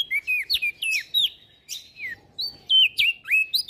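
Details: Song of an olive-backed tailorbird, intended as master song for training songbirds: loud, bright notes that swoop down and level off, given in quick clusters with brief gaps between them.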